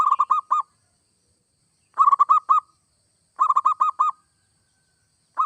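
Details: Zebra dove (perkutut), local or Bangkok type, singing to stimulate other doves: phrases of about five bubbling coos repeated roughly every one and a half seconds, clean and loud.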